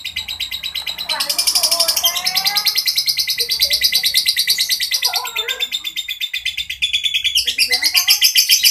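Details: Lovebird in the ngekek style, a long, rough chattering delivery: a continuous, rapid, buzzy stream of high, harsh notes repeated many times a second with hardly a break for eight seconds, with faint low voices in the background.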